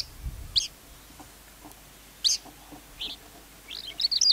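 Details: Captive lark in Vietnam giving short high chirps at irregular gaps, ending in a quicker run of twittering notes; faint low thumps early on, otherwise a quiet setting.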